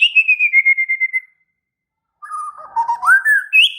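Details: Agitated White-rumped shama in full song: a long fluttering whistle drifting slightly downward, a silent gap, then warbled phrases that climb in pitch and end on a high bright note.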